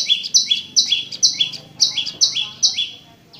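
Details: Prinia singing clearly, offered as a lure for a caged bird that has stopped singing: bright high notes, each sliding to a lower chirp, repeated steadily about twice per second and fading at the end.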